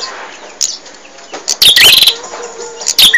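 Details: Bar-winged prinia (prenjak) in full song, recorded to tutor caged birds: after a quiet start, a loud buzzy burst ending in a rising whistle, then a second whistled upslur.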